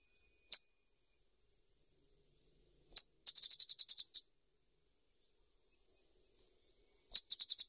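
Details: Sunbird calling: a single sharp high chirp, then a quick run of about ten thin, high, clipped notes, and after a pause another short rapid burst. No other sounds.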